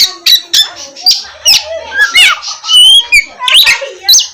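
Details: Oriental magpie-robin (kacer) in 'ngeplong' song, used as a lure to make lazy birds sing in the morning; a continuous jumble of chattering, scratchy notes and thin whistles, ending in a few clear rising whistles.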